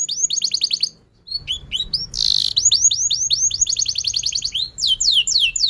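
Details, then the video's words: Persistent canary song, played as a stimulus for young learning canaries and stalled singers: quick repeated whistled notes, a brief silence, a harsh buzz, then a rolling trill ending in steep falling sweeps. "kenari gacor panjang Cuit Cuit EMOSI, Pancingan Kenari Paud Belajar Bunyi"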